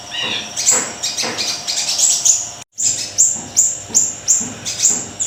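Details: Small siri-siri singing strongly: sharp, very high chirps repeated about three times a second with slightly uneven timing, interrupted once by a brief silent gap.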